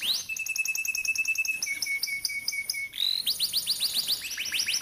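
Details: Atlantic canary singing a training song for young canaries: a long, fast, even trill of high, thin notes that drops slightly in pitch, then a run of quick, rising-and-falling chirps, loud and clear throughout.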